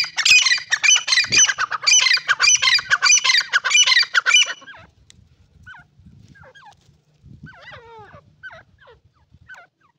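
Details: Irani teetar partridge pouring out a loud, rapid, harsh chattering series for about five seconds, followed by quieter scattered chirps and soft low rustling.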